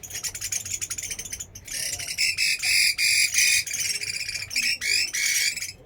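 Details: Chinese hwamei from Da Lat in full song: quick chattering notes lead into loud, repeated rich whistles and harsh slurs in pulsing bursts, nearly nonstop.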